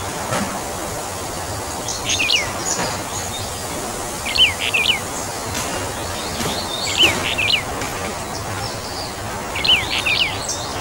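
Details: Brown bullfinch, subspecies uchidae, endemic to Taiwan's mid- and high-elevation woods: short paired whistled notes repeated about every two to three seconds across the recording, over constant forest hiss and faint clicks.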